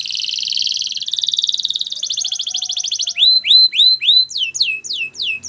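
A canary sings high, fast rolling trills, shifting between tours, then ends with repeated down-slurred whistled notes about four per second.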